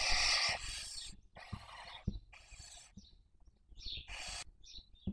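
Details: Recorded by a nest webcam in Spain's Cabañeros National Park, breeding barn owls in 2023 give a series of harsh wheezing hisses, the first loudest, separated by short squeaky chirps and faint knocks.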